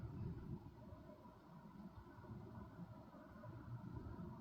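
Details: Low, steady rumble of a passing vehicle or train fills the recording, with no animal call audible.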